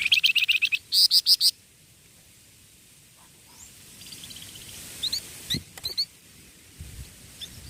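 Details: Young songbird kept for tutoring, singing. A fast, loud string of bright high twitters opens, then quieter isolated rising chirps and a few sharp notes follow, with a low rumble underneath.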